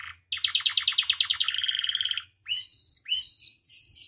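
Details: Captive canary, singing to train and provoke other canaries, delivers a pulsed rolling trill that speeds up, then after a pause two rising slurred whistles with a held high tone and a final bright note.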